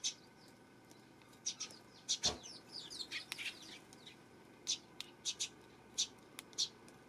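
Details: Eurasian tree sparrows on September 12, several short, high chirps spaced irregularly, with a brief run of quick downslurred notes in the middle and a few sharp clicks.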